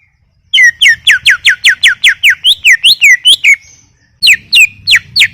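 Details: Greater green leafbird singing vigorously: a fast, steady run of loud down-slurred whistles, later rising in a zigzag pattern, a brief pause, then four more sharply falling whistles.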